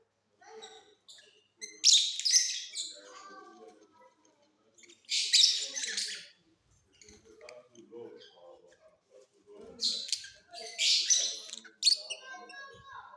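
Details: Off-season singing from mutation lovebirds kept in a flying cage: loud clusters of rasping, high chirps separated by softer chatter and lower murmuring sounds.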